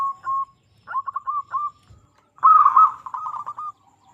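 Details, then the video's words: Local zebra dove song played to prompt other perkutut to sing: a few spaced coos, a short stuttered phrase, then a louder, buzzier rolling run fading into a last soft note. "Perkutut Lokal Gacor Suara Paling Ampuh Untuk Pancingan Burung Perkutut Agar Bunyi"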